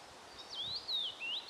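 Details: Common rosefinch (Carpodacus erythrinus) giving a short run of clear, sliding whistles that rise, fall, then rise again over about a second, with faint background hiss.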